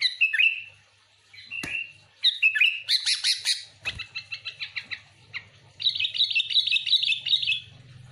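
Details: Sooty-headed bulbul song used to lure other bulbuls: loud, lively chattering phrases of bubbly notes, fast rapid trills and repeated chirps, with a sharp click near the middle.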